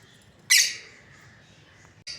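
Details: A single sharp, rasping squawk from a breeding pair of lovebirds, quickly fading, followed by a shorter harsh note after a pause.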